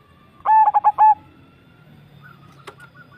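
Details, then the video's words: Single cooing phrase from a Javanese zebra dove, four quick stuttered notes then a held note, followed by quiet softer coos and a brief click. "perkutut jawa bikin gacor"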